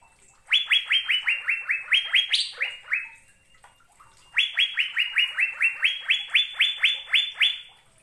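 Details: Asian fairy-bluebird in a training recording for caged songbirds: two long runs of rapid, evenly spaced upswept whistles, roughly a dozen each, separated by a short pause.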